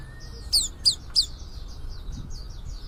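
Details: Young white-eye starting to sing: three loud, piercing, down-slurred notes in quick succession, followed by a softer run of rapid, thin chirps fading away over a low hum.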